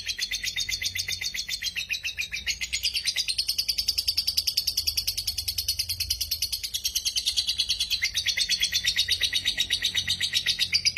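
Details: Fast, rapidly repeated chattering trill of a lovebird, high and buzzy, about two pulses per second-level rhythm blurring into a continuous rattle, meant to lure lazy lovebirds into singing; low hum underneath.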